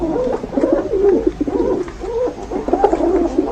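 Pigeons coo in low, soft, throaty rolls, each swelling and fading within about half a second, repeating almost without pause and overlapping as if several birds call.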